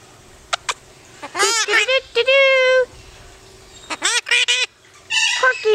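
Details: Corkie, a pet yellow-collared miniature macaw in Paradise, California, filmed 14 July 2008 outside the cage, gives a run of harsh, nasal, speech-like squawks and one drawn-out buzzy note, with short sharp clicks between bursts.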